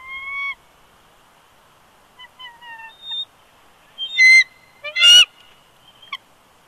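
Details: Male bald eagle reluctant to leave the eggs at a Big Bear Lake, California nest, live camera, 20 January 2020, protesting as his mate takes over: clear whistled whines rising slightly, then loud harsh piping chatter bursts.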